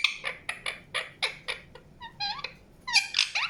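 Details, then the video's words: Indian ringneck parakeet giving short squeaky chirps about every quarter second, then a few rising, slurred notes and a louder harsh burst near the end. The background is otherwise quiet. "PARROT CHIRPING SOUNDS | NATURAL SOUNDS PARROT CHIRPING"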